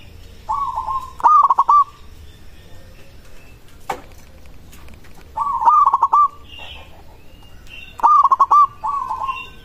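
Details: Local zebra dove giving a song that other doves reportedly answer immediately; rolling cooed phrases in pairs, a soft smooth coo beside a louder stuttered one, with a sharp click midway.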